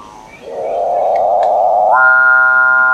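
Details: Capuchinbird (Maú) song beginning with a low grinding growl that swells for over a second. It then jumps abruptly to a higher, smooth, droning cow-like tone that continues steadily to the end.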